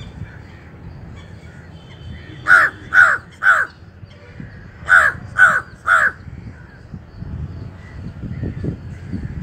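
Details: A gallinule carrying nesting materials calls in two bursts of three loud, harsh, clipped notes, each burst quickly repeated, separated by a few seconds of quiet outdoor background.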